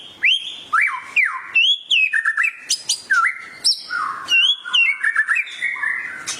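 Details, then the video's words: White-rumped shama singing intensely after hearing a tutor recording; loud, pure whistles swooping up and down, mixed with sharp chirps and quick doubled notes in a lively, uneven rhythm. "murai langsung ikut gacor emosi mendengar masteran ini"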